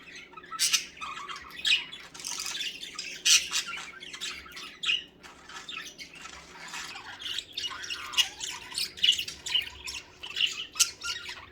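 Budgerigars chatter nonstop in a lively mix of scratchy squawks, chirps and warbled notes.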